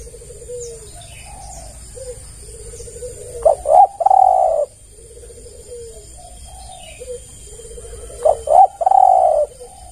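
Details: Spotted dove calling to lure other doves: two loud phrases about five seconds apart, each two short notes and a long buzzy coo, with quieter rolling coos from other doves between them.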